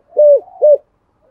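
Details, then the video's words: Spotted dove's 'giọng thổ' voice, meant to lure wild doves: just two mellow, rounded coos about a third of a second apart, then quiet. "Tiếng cu gáy giọng thổ giọng hay dùng kích bổi hiệu quả"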